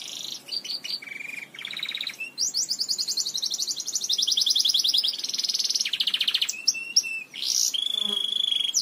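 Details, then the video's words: Belgian canary song used to teach other Belgian canaries: a fast, varied song of high trills and rolling phrases, shifting tours every second or so, with clear whistled notes near the end. "CANTO PARA ENSINAR CANÁRIOS BELGAS"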